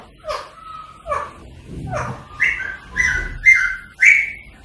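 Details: Spaced calls of a rose-ringed parakeet, played to encourage song and mating: first soft falling notes about once a second, then louder bright whistled phrases that rise and hold.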